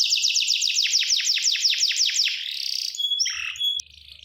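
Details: Gloster canary singing: a run of about a dozen fast, downward-sweeping whistled notes, then a smoother buzzy roll and a few thin, pure whistles that fade into quieter chatter.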